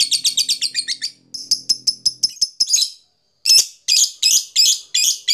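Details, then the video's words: Lovebird chattering in the long ngekek style, used to prompt other lovebirds to call. Fast runs of harsh, buzzy, high notes come in bursts, broken by short pauses, with a few separate scratchy notes near the end. "suara lovebird ngekek panjang"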